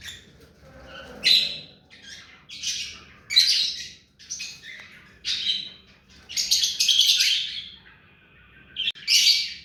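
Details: Ringneck parakeet kept hand-tame, chattering in loud shrill squeaks and rasping chirps, ending in a dense scratchy burst.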